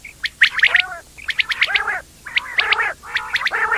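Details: Quail, known locally as batair, giving sharp high chirps followed by nasal, buzzy harmonic notes, the pattern repeating roughly once a second in short bursts against a quiet background.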